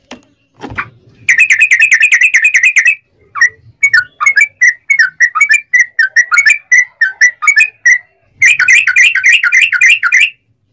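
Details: Sooty-headed bulbul delivering its long ropel song as a lure to make other bulbuls sing. Rapid rolling bursts of bubbly whistled notes frame a looser middle section of separate, slightly rising chirps.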